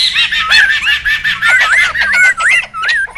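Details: Noisy wild laughingthrushes, recorded for luring and tutoring birds, give loud looping whistled phrases that rise and dip, broken by short pauses, over a rough chattering background of other flock calls.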